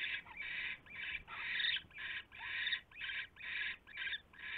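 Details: Night-time owl nest, 27 January 2016, with a huge rat brought in: a series of coarse, breathy hisses, about eight in under five seconds, uneven in length, with a few brief squeaky notes between them.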